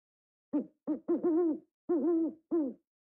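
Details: Owl hooting in a short series: two brief, clipped hoots, then four longer, fuller hoots with a slight wavering rise and fall, spaced about half a second apart, against a silent, clean background.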